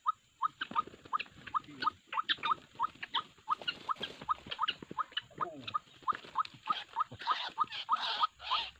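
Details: A White-breasted waterhen gives short, nasal, mid-pitched notes, about three a second in a steady run, over rustling, clicks and a thin high steady whine, recorded while trapping waterhens, which rushed to the trap quickly.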